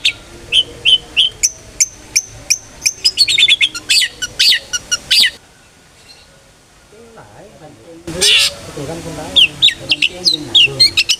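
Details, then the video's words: Long-tailed shrike song in the ngeplong style, used to coax other shrikes into singing: rapid high whistled notes that speed into a dense chatter, then a few seconds of near quiet with soft low sounds, then harsh rasping bursts and chirps. "cendet gacor NGEPLONG sangat ampuh buat PANCINGAN cendet agar RAJIN BUNYI"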